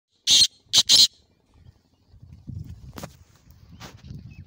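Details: Black francolin (kala teetar) giving three loud, harsh, grating bursts in quick succession, followed by faint low rustling and background noise.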